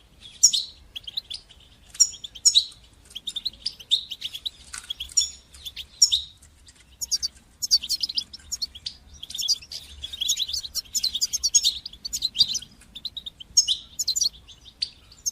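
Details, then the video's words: Long run of European goldfinch song in the batbata and satsata styles, meant to stimulate and teach young goldfinches: rapid, high, tinkling twitters and buzzy notes, in bursts that grow denser toward the end. "تقنيات تحفيز طيور الحسون لتشجيع نجاحها في التغريد بتبتة وستستة"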